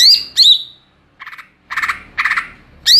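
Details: Greater green leafbird, cucak ijo, ngeplong song: bright descending whistles, then several rough buzzy chatters, closing with another high slurred whistle.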